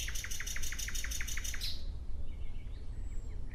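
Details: Nightingale delivering a fast series of about ten sharp, evenly spaced pulsed notes, then going quiet apart from faint distant chirps, over a strong low rumble.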